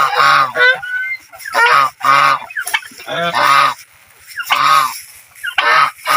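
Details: Geese playing in water give loud, nasal, harmonic honks in bursts of one to three, roughly every second, with short quiet gaps between them.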